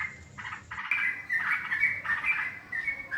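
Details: Yellow-vented bulbul calls played to lure birds for trapping: rough chattering bursts that turn into lively, bubbling whistled notes, given in quick, irregular succession.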